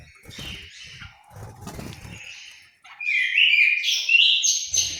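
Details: In an aviary at Malang, East Java, an orange-headed thrush: low rustling and thumps at first, then a brisk burst of bright, rising and falling whistled phrases over the last two seconds.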